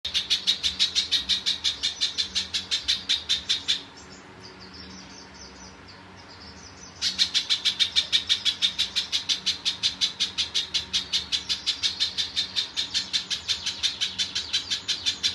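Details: Pijantung (spiderhunter), a popular master bird whose song is used to train other songbirds: fast series of sharp, high chip notes about three per second, pausing near four seconds, then resuming steadily.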